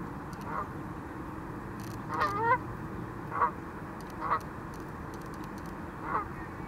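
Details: Canada goose on a lake that swims, spreads its wings and flies off; five honks in under seven seconds, with a rapid cluster of rising, harsh notes near the middle, set against continuous low-pitched background noise.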